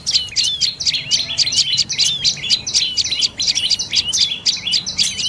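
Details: Dark-necked tailorbird, a bird of forest, bamboo, forest edge and orchards from lowlands to 1,200 m, giving fast high chirping notes, about four per second, each a sharp descending twitter, with a faint low hum behind.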